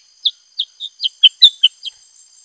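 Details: Black-headed Bulbul male in active song. Eight bright chirps come about every quarter second, mostly downslurred and varying slightly in pitch, with a sharp click in the middle and a high background hiss.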